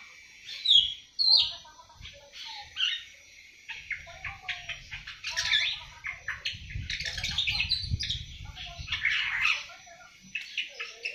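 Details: Awar-awar seven months old beginning its song, a lively string of high chirps, squeaks and chattering notes, with low fluttering sounds through the middle.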